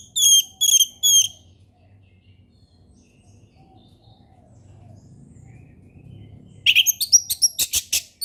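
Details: Forest orange-headed thrush, ngeplong song style, calm delivery. Three quick repeated high whistled notes open, followed by about five seconds of near-silence with low rumble, then a burst of rapid sharp whistles and clicks.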